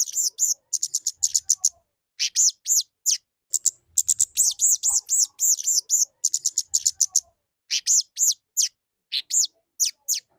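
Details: Lesser shortwing (kemade) singing actively: long runs of very high, sharp chirps and rising slurred notes in quick bursts, broken by short pauses, with faint low knocks in the background.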